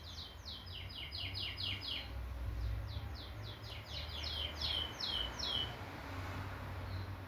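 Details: Canary singing: rapid series of clipped downslurred notes repeated in quick groups, several bursts separated by brief pauses, over low background rumble.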